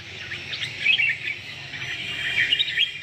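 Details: Caged red-whiskered bulbul of competition quality sings busy, high chirping and warbling notes throughout, over a steady background hiss.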